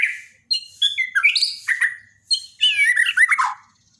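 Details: Borneo white-rumped shama on a daily training recording, singing short bursts of sweet whistles and fast twittering phrases separated by brief pauses, with sliding notes and a dense trill near the end.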